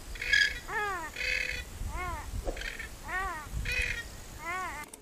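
Grey-headed swamphen giving a run of nasal, arched honks, roughly two a second, mixed with harsher rasping bursts.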